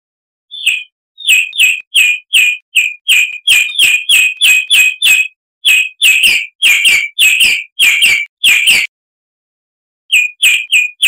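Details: Tutor recording of a harsh-voiced chalk-browed mockingbird for training cage birds: long strings of crisp, evenly repeated chip notes in two bouts, a pause, then a few more chips.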